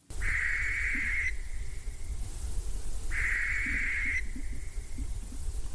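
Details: A barn owl, a harmless night bird heard only at night in forest, gives two long, harsh, hissing screams, each about a second long, over a low rumble.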